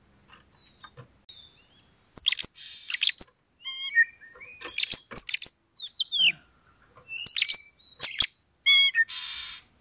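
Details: Oriental magpie-robin bait song, used to slowly raise a rival's emotion until it fights. Rapid clusters of scratchy, high chips alternate with clear slurred whistles and rising and falling sweeps, ending in a harsh buzzy rattle.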